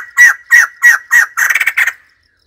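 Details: Four loud, regularly spaced harsh notes from a white-crested laughingthrush, then a quick rattling run of cackles before it falls silent.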